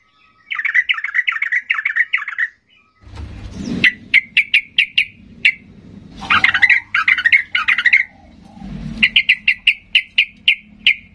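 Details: Worked-up Sooty-headed bulbul singing to provoke other bulbuls into answering: a bubbly, warbling phrase, then series of sharp, clipped chirps repeated several per second between richer chattering bursts, over low background noise.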